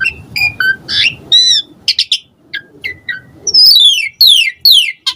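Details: Asian pied starling singing to bait other starlings into responding: mixed whistles, chirps and a buzzy note over faint background noise, then three loud, long, sweeping downward whistles.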